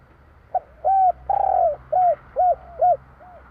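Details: Spotted dove singing in the three-note 'kuk 3' style of Java: soft, hollow coos around mid-low pitch, one drawn-out purring note among shorter arched coos, about six notes in under three seconds, quiet background.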